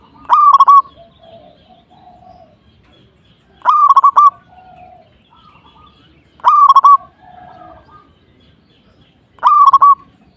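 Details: Zebra dove singing energetically to provoke a rival. Loud, clipped, stuttering coo phrases repeat about every three seconds, four in all, while quieter cooing answers from other doves fill the gaps.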